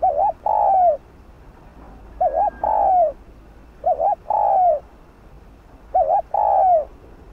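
A spotted dove coos in low, mellow phrases: a quick double note then a longer falling coo, repeated about every two seconds.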